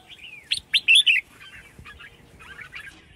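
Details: Female red-whiskered bulbul calling to stir a male into song, giving a quick burst of bright, chirpy notes, then softer warbling twitters over a faint background hum.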